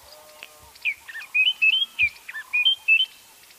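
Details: White-browed scrub robin singing a twice-repeated phrase of bright whistled notes, looped slurs and flat whistles, with faint lower background chirps from another bird.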